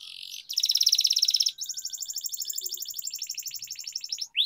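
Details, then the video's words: Canary used as a singing-training tutor for young birds, with long rolling trills: a fast buzzy trill, then a longer rolling trill of rapid pulses that runs for about three seconds. "Canary Singing Training, Kenari Gacor Ngerol Panjang,Pancingan Kenari Macet, Masteran Kenari Paud"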